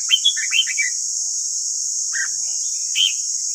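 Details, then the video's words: Red-whiskered bulbul, white-cheeked, morning training song: a fast tumbling run of bright whistled notes at the start, then a pause and two separate chirps, with steady background hiss. "Luyện giọng chào mào ép bổi ép má trắng"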